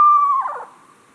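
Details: Screech owl, Finger Lakes Trail birds, NY: a short, clear whistled note breaking into a quavering, descending whinny that fades away, a little scary-sounding; no other sounds.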